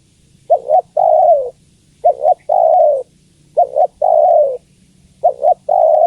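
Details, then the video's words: Female spotted dove calls to the male with repeated low coos: two brief notes, then a sustained, slightly falling coo. Four phrases at an even pace in quiet surroundings. "Suara Tekukur Betina Memanggil Jantan"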